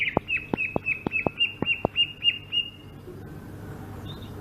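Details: Greater green leafbird, Sumatran, giving a rolling ngerol phrase of about ten sharp whistled notes repeated rapidly at an even pitch, each with a click, fading into quiet hum.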